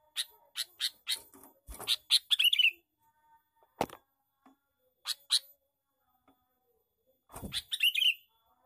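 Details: Male sooty-headed bulbul giving a lively 'cor cor cor' lure call: quick series of harsh, bright chirping notes in bursts of several, separated by pauses, with a few low thumps and clicks between phrases.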